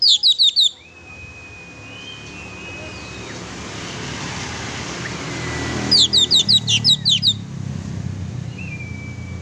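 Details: Oriental magpie-robin singing vigorously, used to provoke a pet magpie-robin into singing: two short bursts of rapid, sharp high chirps, one at the start and one near six seconds, separated by a long stretch of rushing traffic-like noise.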